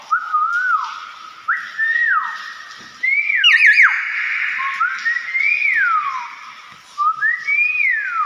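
A common hill myna gives loud, clear whistles that slide up and then swoop down, several per second, in a varied run. No other sounds stand out.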